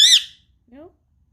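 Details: Pet Indian ringneck parakeet indoors, playing near an iPad, gives one sharp, high, wavering squawk, then a brief lower rising note; a woman's voice coaxes it between calls in a quiet room.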